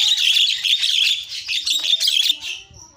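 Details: Jalak kebo, or Javan myna, in energetic, melodious isian filler song: three seconds of continuous harsh, scratchy, high-pitched chatter that fades toward the end.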